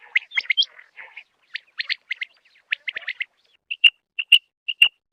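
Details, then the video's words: Common quail, possibly a female calling, giving sharp, bright notes in quick clusters of two or three, then a run of clear, evenly spaced high pips about twice a second. "Batair ki awaz Quail sounds بٹیروں کی آواز"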